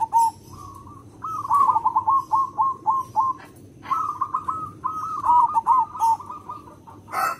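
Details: Big-voiced local zebra dove singing as a lure for others of its kind: long, rapid runs of hooked whistled coos in two bursts, each note sliding up then dropping, with short clicks and light rustling.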